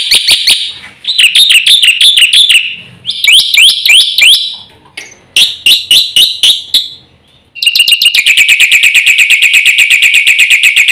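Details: Black-winged myna in fast, varied full song for luring silent birds: squealing, looping phrases, clipped chip series, then a long, dense, rapid chattering trill.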